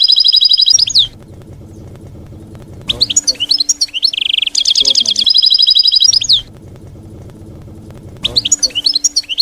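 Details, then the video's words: European goldfinch in canto campero (field-style song), used to teach young goldfinches: three bursts of fast, liquid twittering with a buzzy trilled stretch in the middle, separated by pauses over a steady low background hum. "𝗝𝗜𝗟𝗚𝗨𝗘𝗥𝗢 𝗥𝗘𝗖𝗟𝗔𝗠𝗢 𝗖𝗔𝗠𝗣𝗘𝗥𝗢. 𝗘𝗦𝗧𝗜𝗠𝗨𝗟𝗔 𝗖𝗔𝗡𝗧𝗢 𝗝𝗜𝗟𝗚𝗨𝗘𝗥𝗢"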